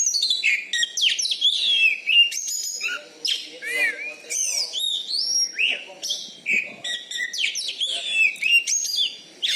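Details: Caged Oriental magpie-robin (kacer), a champion bird from Bengkulu said to sing loudly with a special fighting style, pours out a dense, rapid stream of varied whistles, slurred rising and falling notes and sharp chips with hardly a pause.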